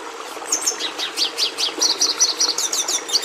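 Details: Red siskin (Carduelis cucullata) delivering a quick series of high, down-slurred chirps, about two or three per second, speeding into a brisk repeated twitter.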